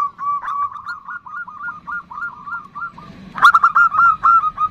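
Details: Zebra dove (perkutut) female calling the male with a 'nutut' call: quick, hiccuping coo notes in steady runs, growing louder and clearer near the end.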